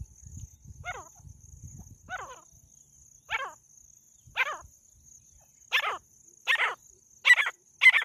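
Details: A female jungle francolin gives eight harsh, rasping calls that drop in pitch, each about a second apart and growing louder, over a steady thin high whine.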